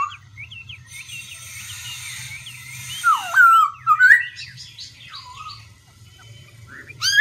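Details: A Black-throated laughingthrush shifts its voice again and again: soft twittering notes give way to loud dipping and rising whistles in the middle, then quieter warbles, over a constant low hum.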